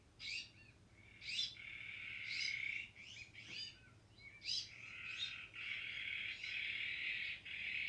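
Harsh, rasping, buzzy calls of Iberian magpies, roughly one per second, with sharper high chirps mixed in and drawn-out wheezy notes toward the end.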